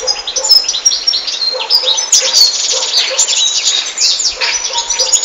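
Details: European goldfinch song: continuous, fast, high twittering mixing liquid chirps, buzzy notes and short whistles, sung loudly and without breaks.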